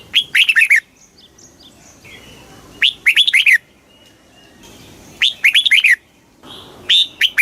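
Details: Red-whiskered bulbul giving a very fast kích bổi song. Four loud, bouncy bursts of warbled notes about every two seconds, with faint, thin calls in the pauses.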